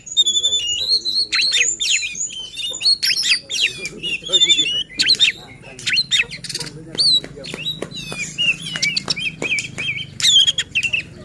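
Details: Oriental magpie-robin lure song meant to rile rival magpie-robins and coax quiet or contest birds into singing; a long run of rapid, varied whistles, squeaky notes and clicking strokes, with a faint low hum underneath.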